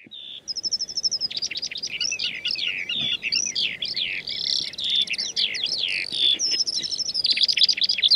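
A Eurasian skylark pours out a fast, unbroken stream of high chirps, trills and warbled phrases with hardly a pause, clear against a quiet background.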